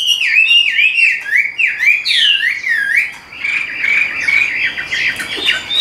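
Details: Hwamei kept in captivity repeats a looping whistled motif, rising then falling about twice a second, before breaking into a jumbled, faster chatter of varied notes.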